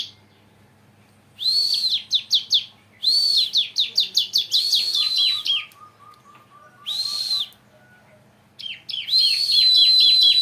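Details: Bar-winged prinia, captive-bred and kept in a cage, still short of peak singing condition, delivering loud high whistled phrases that break into fast rattling chirp series, with brief silent gaps between bursts.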